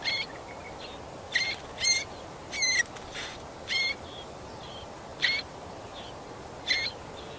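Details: Marsh warbler feeding its chicks in Kalinovsky forest park, Yekaterinburg, on 30 June 2020: six short, harsh, chirping calls with bright overtones, spaced irregularly about half a second to a second and a half apart, over a steady hiss.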